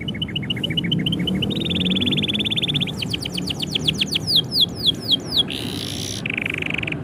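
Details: Canary song when its owner is about to leave: a short series of soft repeated notes, a buzzy rolling trill, rising run of rapid sweeping whistles, then lower buzzy rolled phrases.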